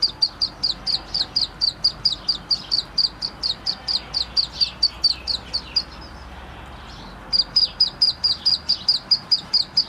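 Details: Black francolin chick calling: a rapid series of short, high chirps repeated about twice a second, pausing briefly near the middle before resuming at the same pace.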